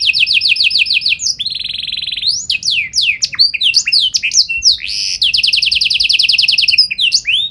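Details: Chattering canary in varied song meant to set other canaries singing: a rapid repeated note series, a sustained buzzy trill, tumbling whistled slurs, then another long fast-repeated rolling phrase.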